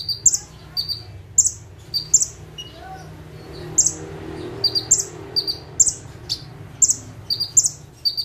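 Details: Bar-winged prinia, known locally as konin, ciblek or prenjak tebu, singing vigorously in full 'tembakan' style while perched in one spot: sharp, very high paired chips and short bursts repeated steadily, over a low rumble of background noise.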